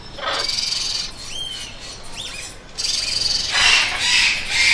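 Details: Parrot screeching with a harsh burst at the start, a couple of short upward-sliding whistles, then sustained loud raspy squawks filling the second half.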